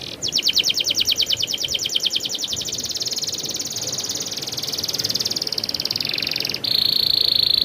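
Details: Canary pouring out rolling song: a quick pulsed trill that merges into long, fine, sustained rolls and a high thin buzz near the end, over a faint noise floor.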